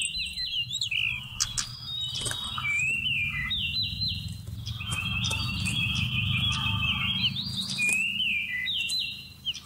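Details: Seychelles magpie-robin, recorded November 2016 as a trapping lure, sings a long rambling series of sweet whistles and downward slides, phrases repeated in rapid succession with sharp clicks interspersed and constant low background rumble.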